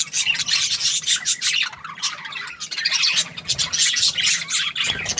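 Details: Happy budgie chirping: dense raspy twittering and short squawks from several birds, ending with a soft rubbing noise.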